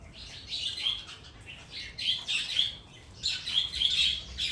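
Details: A pair of tailorbirds inside a house gives loud, high, sharp chirps in rapid bursts of several notes, separated by short pauses, over faint low background noise.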